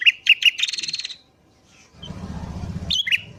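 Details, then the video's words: Sooty-headed bulbul in lively morning song, used as a lure for wild bulbuls: three sharp whistled notes run into a buzzy trill, then a pause, low rumbling background noise and two more clear whistled notes. "BURUNG KUTILANG GACOR DI PAGI HARI"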